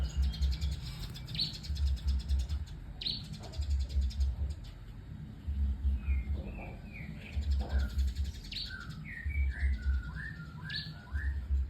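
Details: White-rumped shama singing varied whistled phrases: sharp high notes, then clusters of slurred, rising and falling whistles in the middle range, with pauses between bursts, against a steady pulsing low mechanical hum.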